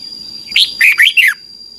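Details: Caged red-whiskered bulbul from Thailand, song played each morning to train young birds: a single quick phrase of four bright, slurred whistled notes dipping and rising, with a steady high thin tone in the background.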